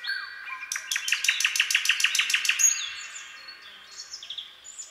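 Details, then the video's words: Nightingale song in a night forest: after a soft opening note, a fast burst of about thirteen loud, identical repeated notes rattles out. Quieter high, thin whistles and a few scattered chirps follow. "Incredible Nightingale Singing in the Night Forest"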